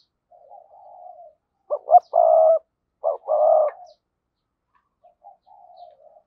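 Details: Decoy spotted dove gives a calling phrase meant to stimulate other doves to coo. A soft murmur precedes two quick rising notes and a long, loud coo; a second short note pair and coo follow before faint trailing tones.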